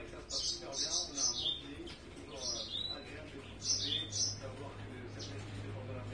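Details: Day-old yellow-fronted canary chick begging during hand-feeding: clusters of thin, high, scratchy peeps repeated several times, mixed with a person talking softly and a low steady hum.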